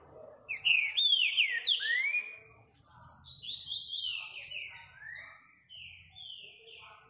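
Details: Green-winged saltator, true trinca-ferro, singing loud rich whistled phrases that slur downward, a strong opening phrase followed by a second run of descending whistles and softer trailing notes.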